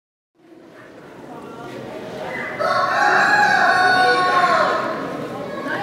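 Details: Old English Game bantam rooster, modern type, black with golden hackle, shown at the 15th poultry show in Woincourt, France. One long, harsh, drawn-out crow swells and holds for about three seconds over the murmur of a busy hall.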